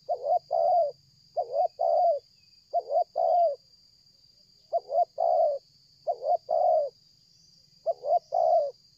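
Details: Spotted dove met while luring birds, approaching from a distance and cooing nonstop; six even two-part phrases, a quick broken stutter followed by a drawn-out mellow coo, repeated about every 1.3 seconds against a faint constant whine.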